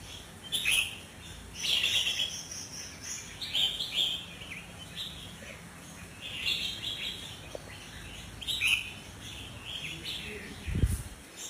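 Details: Albino sooty-headed bulbul giving a run of liquid, chattering song phrases spaced one to two seconds apart, with background hiss and a low knock near the end.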